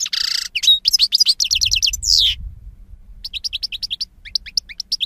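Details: European goldfinch in 2016, delivering loud rapid twittering with buzzy trills and a long down-slurred whistle, then softer, evenly spaced liquid chirps after a brief gap.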